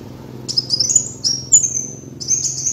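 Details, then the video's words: Kolibri wulung sunbird song used as a lure recording: high, thin sweeping whistles and rapid twittering phrases in three bursts, with a faint low steady hum beneath. "MASTERAN PIKAT BURUNG KOLIBRI WULUNG"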